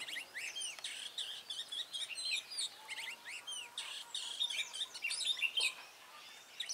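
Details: Red-whiskered bulbul decoy singing aggressively during a trapping session on 23 March 2018: rapid bursts of bright, bubbly, warbled whistles with quick up-and-down slurs, repeated with short gaps, several overlapping birds audible.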